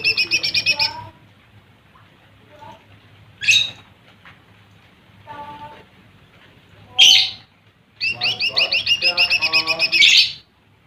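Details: Lesser green leafbird song for provoking rival birds: short bursts of rapid, repeated bright chattering notes broken by harsh sharp calls and softer lower twittering.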